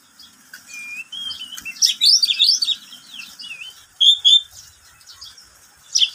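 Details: Pet oriental magpie-robin singing in the middle of the day, a song used to train other birds and lure wild ones: thin high whistles, then a dense burst of twisting warbled notes and a few loud clear whistles.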